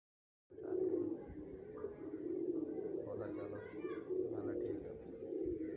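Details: A pair of domestic pigeons giving steady, low, rumbling coos that run on without a break, with a person talking over them.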